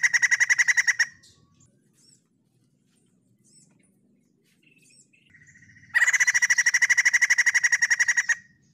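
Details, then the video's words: Song of a white-crested laughingthrush with a second of rapid loud chatter, a long quiet pause holding only a few soft notes and a short whistle, then an extended rhythmic chattering burst. "BURUNG POKSAY JAMBUL PUTIH GACOR 100% SUARA TEMBUS"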